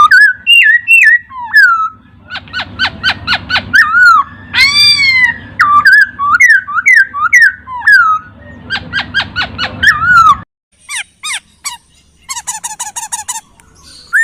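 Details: Master recording of laughingthrush song for training songbirds. Varied loud whistled notes, quick rising and falling slurs and runs of rapid steep sweeps, with a ringing buzzy note mid-way and high chattering at the end; low background hum.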